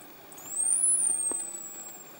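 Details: A Barred fruiteater, hard to detect because of its high-pitched call, gives one very high, thin whistle that swells upward, then slowly slides down over nearly two seconds, above a quiet background hiss.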